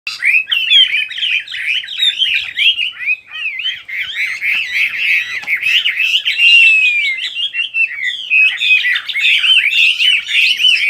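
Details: Bird song: a dense, continuous run of quick chirps and warbled slurred notes, with short rising and falling whistles crowding together and barely pausing across the whole stretch; no other sounds stand out.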